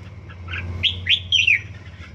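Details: Practice song of a one-season-old red-whiskered bulbul: a few soft notes followed by three bright, rapidly slurred whistled phrases, with a steady faint tone and low hum behind.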